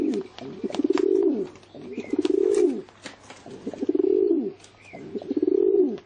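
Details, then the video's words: Pigeon cooing indoors: low, rounded coos in repeated bursts about a second long, each swelling then falling, with short pauses and faint clicks between. "เสียง นกพิราบ"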